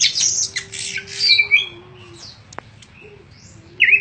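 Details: Greater green leafbird, a contest-ready songbird with a full repertoire, singing a burst of harsh, scratchy notes mixed with bright high whistles, falling quiet before a last squeaky phrase; a low steady hum underneath.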